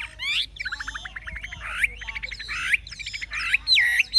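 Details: Mature wild-caught Chinese hwamei, kept caged, singing in the true forest-voice style: a rich, varied run of loud slurred whistles and rapid chattering notes, ending in bright looping phrases. A low background hum runs underneath.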